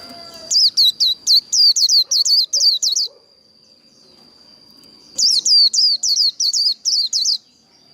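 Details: Two bursts of líu đấu fighting song from a Japanese white-eye, a style used to excite wild-caught birds: roughly nine, then seven high, clipped, down-slurring chirps, separated by a quiet gap with a faint steady tone.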